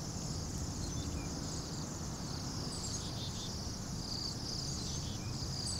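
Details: A flock of about 200-300 Bohemian waxwings in winter in Anchorage at -8°F: high, thin, buzzy trills blurring into a steady shimmering chorus, over a low rumble of wind or distant traffic.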